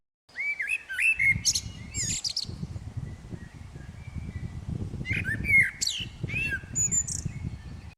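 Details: Common blackbird song: fluted whistled phrases that rise and fall, each ending in higher squeaky twittering, delivered in two bursts with a pause between, over a low background rumble.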